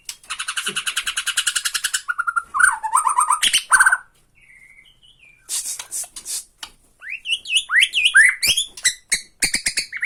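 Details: Bornean white-rumped shama provoking a rival with rattling calls: a long, dense buzzing rattle for two seconds, a few whistles, then quick runs of harsh rising and falling chattering notes.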